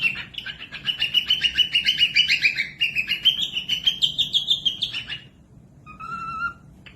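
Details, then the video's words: Cockatiel, a pet parrot, singing as a model for lazy or young birds to learn from. A fast, steady stream of bright chirps lasts about five seconds and slowly rises in pitch. A single short whistled note follows. "Cocok buat pemasteran falk yang malas bunyi langsung nyaut pemasteran cockatiels cute parrot"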